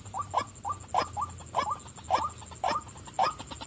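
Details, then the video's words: White-breasted waterhen, a female, giving hoarse croaks in uneven doublets, roughly two per second, each with a sharp clicky edge; a faint steady high whine and low rumble run underneath. "burung wak wak betina suka memanggil"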